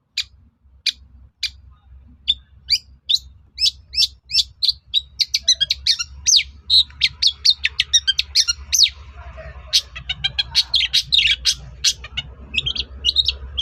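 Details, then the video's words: Long-tailed shrike song played to make other shrikes answer, starting with spaced sharp ticks that speed up into a fast, scratchy chattering stream of high notes over a steady low hum. "SUARA PANCINGAN BURUNG CENDET AGAR MAU NYAUT GACOR"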